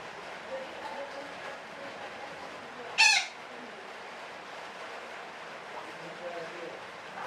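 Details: A single sudden raspy squawk from a parakeet, from a call described as long chattering (ngekek panjang), standing out mid-clip from a long stretch of quiet hiss and faint murmuring.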